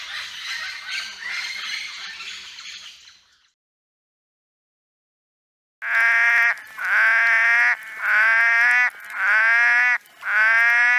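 Red-lored amazon giving five loud, harsh, ringing squawks, roughly one per second, after a brief burst of rough noise and a short silence.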